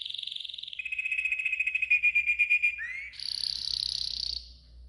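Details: A yellow golden canary sings a training song of quick rolled trills, a high buzzy tour, then a lower liquid warble, a rising slide and a bright, fast high trill.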